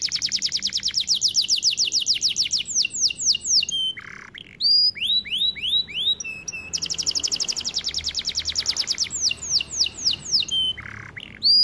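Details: Varied song of a white canary: long rapid trills of descending notes, bursts of rising swept whistles, short low buzzy notes and sharp high phrases, loud and close with little background.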